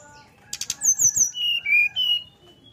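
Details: A Brown-chested jungle flycatcher whistles its 'nyuling' song with open beak, meant to entice others to join in: a few clicks, then pure whistled notes falling in steps from very high to mid pitch.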